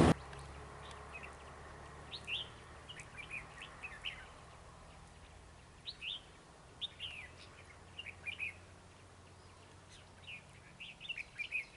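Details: Red-whiskered bulbul trapped in a rival display, singing short warbled phrases of rising and falling notes at intervals, fairly distant over steady background hiss.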